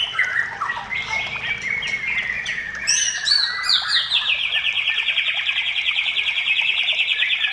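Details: White-rumped shama song used to lure other shamas into singing: varied whistles and slurred notes, then sharp high chips, ending in a long fast buzzy trill held for several seconds.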